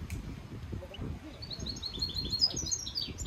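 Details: Goldfinch mule, hybrid, in stimulation song for training, pouring out a fast, bright twitter of high chirping notes that grows busier and louder, with soft low background noise.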